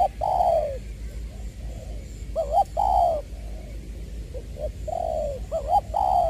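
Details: Spotted dove kept as a decoy bird in Trà Vinh, Vietnam, recorded 22 February 2021; repeated low cooing phrases, each a quick double note then a longer falling coo, with a steady background hum.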